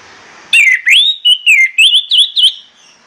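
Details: Morning song of an orange-headed thrush, used to stir the bird into singing: after a half-second of faint hiss, eight rapid, warbling whistled notes swoop up and down in a continuous bright phrase lasting about two seconds.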